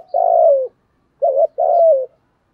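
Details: Spotted dove cooing in the thổ voice style: a long, low, mellow coo, a pause, then a short wavering note followed by another drawn-out falling coo.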